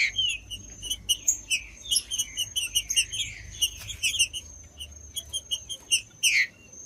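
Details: Green-winged saltator singing to warm up a cold caged bird: a busy stream of chirps and short slurred whistles, ending in one loud downward whistle, over low background hiss.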